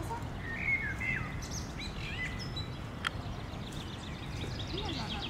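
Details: Parakeets of a rose-ringed colony in Villa Ada park, Rome, Italy: a few sharp, piercing squawks and higher twittering notes scattered through the recording, against a heavy low background rumble and one clicking knock.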